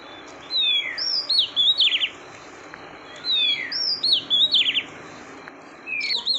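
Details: Oriental magpie-robin, a female calling to rouse the male, gives two bursts of clear whistled notes, rising and falling slurs ending in rapid trills, about three seconds apart, with a faint hiss behind.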